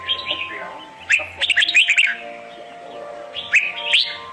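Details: Competitive-style red-whiskered bulbul song played as a lure for trapping: quick clusters of sharp chirps and warbles, a pause, then another short burst, over a low steady hum.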